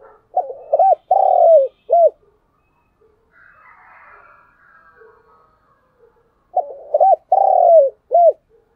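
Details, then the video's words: Spotted dove used as a decoy to call in wild doves. Two matching coo phrases about six seconds apart, each with quick hooked notes, a long purring coo and a short final note. Faint scratchy sounds fill the gap between them. "tiếng chim cu gáy gọi mồi và bổi, giọng hay và rất may bổi"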